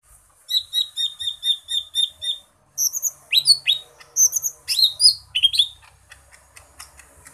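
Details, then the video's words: Green leafbird (mini type) with a varied repertoire singing nine quick, evenly spaced whistled notes, then a rapid jumble of high, sharply falling whistles and buzzy slurs, with no other sounds. "Burung Cucak Ijo Mini isian seabrek"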